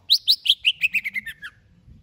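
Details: Greater green leafbird prepared for a singing contest pours out about ten rapid, ringing whistles, each slurring down and stepping lower in pitch across two seconds.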